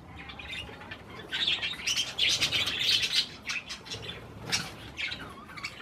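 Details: Parakeets feeding on cherry tomatoes chatter in dense bursts of warbling chirps, quieter at first then a loud run of rapid twittering, with occasional wing flutters and clicks.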